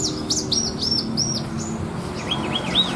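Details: Caged Javan bushlark with a richly mimicked 'isian' song fit for contests, singing clear arched whistles, then a short series of three rolling, wavy high notes, quiet low hum underneath.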